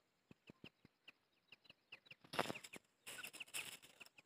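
A black francolin gives harsh, grating, rasping bursts in two runs after a string of soft, quick clicking ticks.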